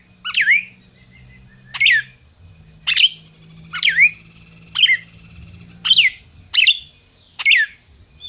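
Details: Captive-bred red-crested cardinal from a registered breeder in Brazil, calling: sharp, bright downslurred notes repeated about once a second, with slight faint echoes and a low background hum.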